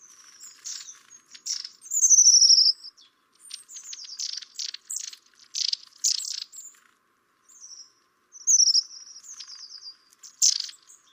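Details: A pair of Long-tailed tits (Aegithalos caudatus) visiting garden feeders in winter trade thin, very high see-see contact notes and a couple of rippling, trilled tsirrup calls, scattered irregularly over eleven seconds.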